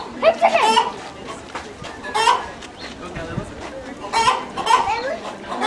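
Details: A fussing chicken gives harsh, broken squawks in short bursts, with quieter clucks between them. Human voices murmur in the background.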